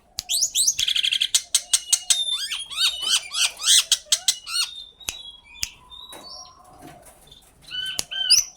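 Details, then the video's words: Common myna producing a rapid, chattering sequence of clicks, rising squeaky whistles and buzzy notes for several seconds, then quieter scattered whistles and a final burst of sharp chirps. "suara asli common myna/jalak/Tiong/gembala kerbau"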